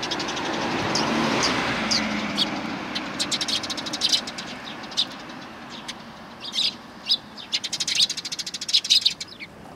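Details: Sparrows gathering to greet the recordist on 7 April 2020 on the way out, one of them lame in a leg; a passing vehicle rumbles at first, then quick, clipped chirps pile up in bursts toward the end.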